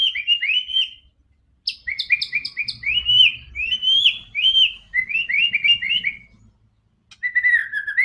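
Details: White-rumped shama song played to get a quiet bird singing quickly: bursts of rapid chips and slurred whistles in a long varied sequence, a pause, then a last whistled phrase.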